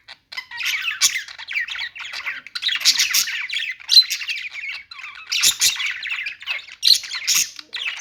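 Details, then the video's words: Parakeet chatter in irregular bursts, raspy squawks mixed with quick high chirps, louder peaks coming roughly every few seconds. "budgies singing | budgie sounds | parakeet chirping sounds"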